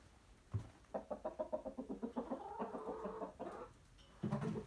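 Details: Coop chickens, a rooster among curious hens, making a steady string of low, rapid clucks for around two seconds, followed by a pause and another burst of clucking.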